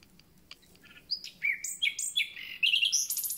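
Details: Common nightingale, just arrived and starting its concert, sings a rich varied phrase: whistled notes, fluty repeated figures, quick trilled warbles and a final very high buzzy rattle.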